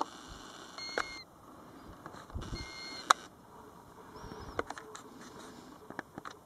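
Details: European golden plover near its nest at Båtsfjord, Norway, recorded from a car about seven feet from the roadside nest: two plaintive, level whistled notes a little over a second apart, with scattered clicks and faint background rumble.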